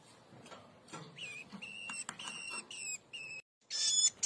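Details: Hand-reared woodchat shrike chicks being fed mealworms: short, harmonic squeaky notes repeated in a quick series, with rustling and handling noise and a loud broadband burst near the end.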